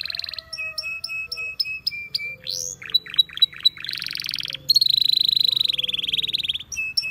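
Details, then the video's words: Wild canaries singing a varied song: evenly spaced high chips, a swelling whistle, short sharp notes, a buzzy burst and a long steady rattle-like trill, followed by a final brief note. "Canaries Singing In The Wild"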